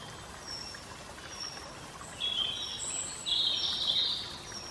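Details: Indigo bunting: short high whistled notes, then louder buzzy paired phrases in the second half, over a steady hissing background.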